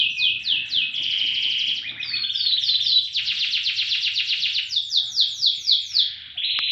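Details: Caged canary delivering varied song: rapid descending chirps, a steady buzzing roll, a long evenly pulsed trill, then a run of sweeping down-slurred notes and a short final buzz.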